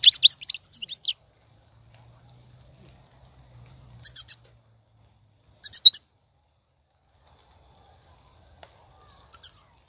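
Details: Wild European goldfinch song recorded in 2019, used to encourage caged goldfinches to sing: short bursts of high, tinkling, twittering notes, the longest lasting about a second, separated by silent gaps.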